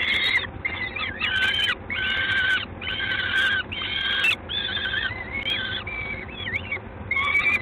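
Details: Peregrine falcon, Gdańsk, Poland, recorded 3 June 2016 in the evening: about a dozen rough, harmonic, braying calls, each around half a second long, given in a steady rhythm with short silent gaps.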